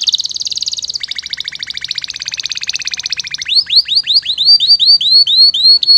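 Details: Canary singing a long, rich, non-stop song: a fast buzzy trill running about three seconds, shifting lower partway, then a series of loud upward-sweeping whistled notes repeated roughly twice a second.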